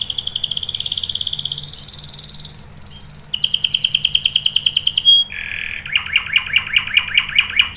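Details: Canary singing long rolled song to lure other canaries into answering: extended rapid high trills, stepping down in pitch section by section, a brief whistle, then a lower pulsing roll, over faint hum.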